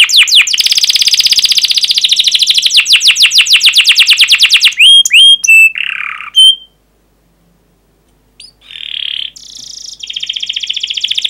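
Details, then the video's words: Canary in energetic 'cuit cuit' song, played to make other canaries sing: a long fast rattling trill, sharp clipped notes, a brief silence, then buzzy tones and a renewed trill. "Kenari GACOR PANJANG Cuit CUIT EMOSI"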